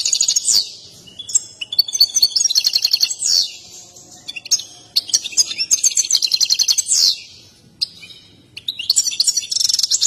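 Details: An excited European goldfinch performs its mating song with dancing, a display valued by breeders. Repeated bursts of very rapid high trills alternate with tinkling chirps and sliding slurred notes, separated by short pauses.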